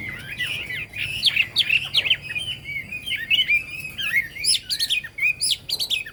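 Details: Chinese hwamei singing a fast, jumbled medley of warbled whistles, trills and sharp upward notes, with busy phrases packed closely together.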